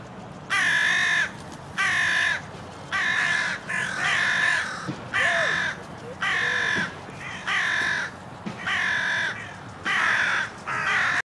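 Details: Several grey herons fighting in a rose garden, several hundred yards from the lake, after getting too close to each other; nine loud, harsh, rasping croaks, each about half a second long, repeated roughly every second with steady spacing.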